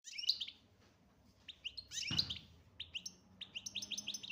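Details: European goldfinch, chardonneret major type, tagged to Algeria, singing bright liquid twitters: clusters of fast rising and falling whistled notes high in pitch, in bursts separated by short pauses, with a faint low hum behind.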